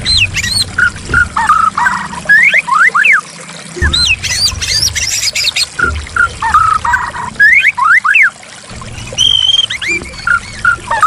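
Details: White-rumped shama song used as therapy for a bird that has stopped singing: varied whistled phrases of rising and falling sweeps and clear notes, interrupted by abrupt cuts, over steadily trickling running water.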